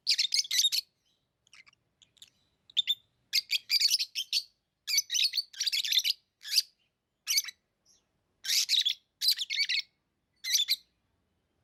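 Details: Lovebirds chirping steadily: shrill, scratchy chirps delivered in quick pairs and triplets roughly every half second, a continuous lively chatter with no other sounds.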